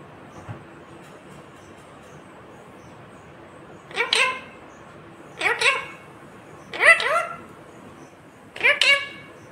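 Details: Indian ringneck parrot talking in four short, rasping, breathy word-like bursts, spaced one to two seconds apart after a quiet opening.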